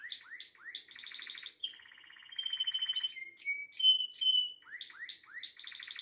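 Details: Canary song with upward-sweeping chirps, a buzzy rattled phrase, steady whistled tones and short sharp notes, ending in more rising chirps; no other sounds.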